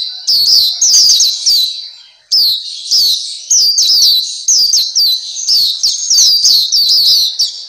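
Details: High, lively Black-capped white-eye song used to train captive birds: chains of sharp down-slurred chirps, a short break near two seconds, then continuous twittering to the end.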